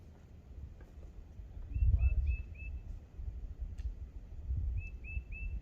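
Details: Red-breasted Nuthatch on the Appalachian Trail near Tinker Cliffs, Daleville, Virginia, April 6: short, nasal, tooting notes in quick runs of three or four, pausing between runs, over steady low rumbling wind.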